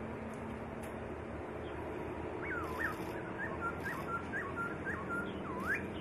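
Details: White-rumped shama song used as a master recording for training songbirds: clear whistled notes with rising and falling slurs, repeated about twice a second, over steady loud background hiss.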